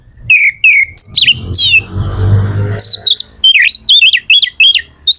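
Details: Kacer or magpie-robin singing vigorously to stimulate others: descending whistled slurs, a noisy rasping burst, then rapid repeated zigzag whistles, low hum underneath.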